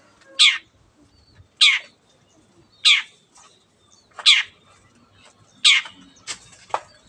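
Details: Shrike (cendet) in lively song, used as a master bird to get silent birds singing; loud, harsh, downward-sweeping notes repeat about every 1.3 seconds, five in a row, then two shorter quick notes close together, over a quiet background.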